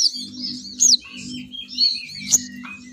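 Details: Lure call of a female sogon bird meant to bring males flocking down: continuous high twittering with a few sharp, rising whistled notes over a steady low hum.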